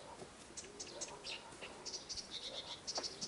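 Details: Nightingale singing at a country garden in the Irkutsk region, Russia: a run of sharp, high whistled notes, the last ones repeated quickly in a rapid series, over a soft background hiss.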